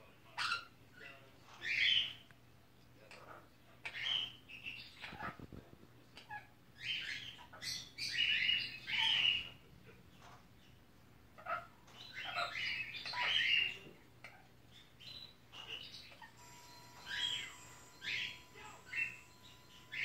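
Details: Female sun conure, six months old, kept as a pet, on her first Christmas watching Die Hard. A long run of rasping shrieks, often paired, with brief quiet gaps and faint steady tones in the background toward the end.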